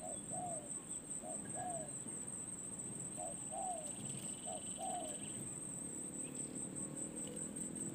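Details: Distant spotted dove, a decoy taken out for perch experience, gives four paired coos, short then longer and falling, during the first five seconds, then falls silent under rumbling background noise and a constant high whine.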